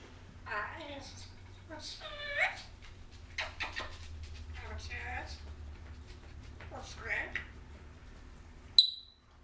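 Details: African grey parrot, a female kept indoors, imitating human speech and growling: several harmonic, voice-like phrases with sliding tones, quieter muttering in between, and a sudden sharp whistle near the end over a steady low room hum.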